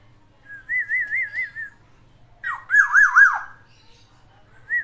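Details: A single Black-naped Oriole kept at home, its song trained with three variations: rich fluty whistles with a rapid wavering, vibrato-like pattern, one long warbled phrase followed after a pause by a louder, lower wavering phrase, then a short note.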